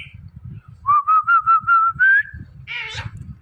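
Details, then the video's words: Indian ringneck parrot, a talking bird, giving a run of six clear whistled notes that climb slightly in pitch, then a short harsh squawk, amid low indoor rumble. "Talking Parrot Saying Mithu Mithu"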